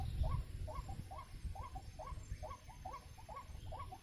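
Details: White-breasted waterhen (ruak-ruak, wak-wak, kreo padi) at a snare-trapping site: a steady series of short hooked, nasal notes, about two per second, over heavy low rumbling noise.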